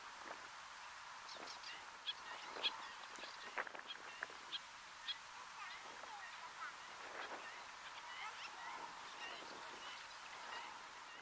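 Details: Common shelducks at Hyères, France, in May 2024, giving scattered short, nasal honking and whistled calls among a busy chorus of other waterbirds over steady background hiss.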